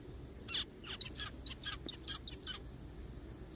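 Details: In a forest, zebra finch chatter: a rapid run of about a dozen short, nasal, buzzy chirps packed into two seconds, then quiet with low background hum.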